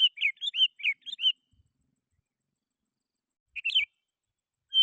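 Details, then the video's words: Sooty-headed bulbul song meant to draw in wild rivals: a quick run of bubbly whistled notes, a three-second pause, then a rising trill and one long whistle. "Suara Burung KUTILANG GACOR Ampuh 100% Bikin Kutilang Lain Ikut Bunyi"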